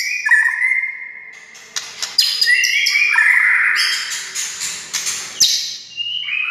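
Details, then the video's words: White-rumped shama song used to provoke other shamas into singing: loud varied whistled phrases, long sustained notes dropping and rising, interspersed with sharp clicks and buzzy high bursts. "SUARA kicau MURAI INI Buat semua jenis murai gacor,buat Murai DIAM Langsung NYAUT"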